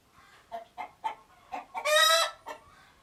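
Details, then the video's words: Alert chicken calling: a run of five evenly spaced short clucks leads into one loud, rasping squawk, followed by a single closing cluck. "Alert Chicken Noises"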